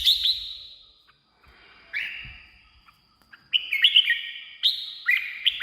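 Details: Red-whiskered bulbul singing, a recording played to attract wild birds or excite caged birds. Separate whistled phrases have pauses between them, then a lively run of chirpy, rolling notes. The sound is slightly echoing.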